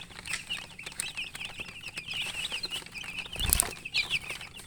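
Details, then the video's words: Chicken chicks chirping: rapid, high peeps overlap continuously, joined near the end by a loud broadband knock and a few brighter, louder chirps. "MURGI Baby "Chicks Chirping" Sound"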